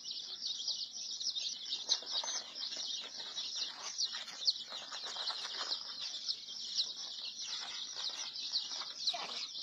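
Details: Chicks peeping in a dense, continuous chorus of high, shrill chirps that overlap without pause for the whole stretch.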